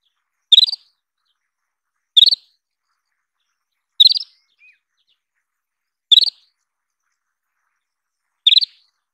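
An Isabelline wheatear gives five sharp, high chipping notes, one every two seconds or so, against an otherwise silent background.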